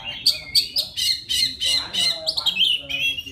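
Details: Male-style courtship song of a forest Oriental magpie-robin calling a female: loud, dense chattering phrases with scratchy, buzzy notes and whistled slurs, tumbling on without pause.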